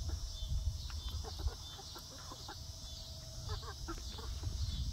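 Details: Young egg-laying hens on their first day in a new outdoor backyard run give soft, scattered clucks and short chirps, spaced irregularly over steady low background rumble.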